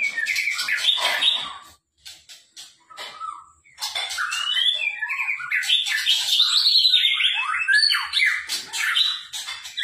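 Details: White-rumped shama giving a rich, rapid song: harsh chatter and warbling, a short pause with scattered notes, then a long run of quick varied whistles and trills.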